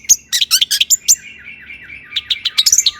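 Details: Long-tailed shrike, an Indonesian caged cendet, in agitated song used to draw other shrikes into singing. A burst of rapid chattering notes leads into a long, wavering, fading whistle, then quick high chips.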